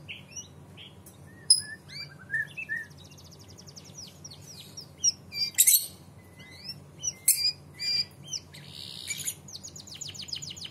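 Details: Singing canary, used as a tutor song to get young canaries to respond and sing: rapid varied phrases of high chirps, sharp sweeps and rolling trills, separated by brief gaps, with a constant low background hum.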